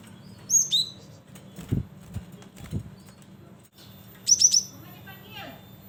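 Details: Lively singing cinereous tit, used as a lure for bird trapping, gives quick high whistled notes in short bursts, broken by dull knocks and a soft rustle.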